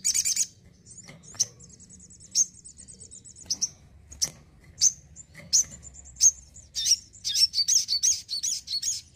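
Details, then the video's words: House-kept sogon (crimson sunbird) singing energetically: loud high bursts, a thin rapid trill, scattered sharp chips, then a quick run of wavering twittering notes. "SOGON GACOR RUMAHAN"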